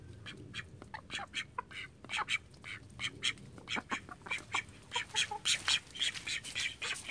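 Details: Domestic call ducks, thirteen kept together at a home, calling in a long run of loud, nasal, raspy quacks, about two per second, growing busier and louder toward the end with several birds overlapping.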